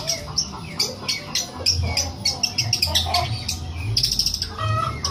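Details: Long-tailed shrike singing actively, said to mimic a cat: quick chips and clicks crowd together, then a run of fine high trilled notes and a short mewing slur near the end, over low background hum.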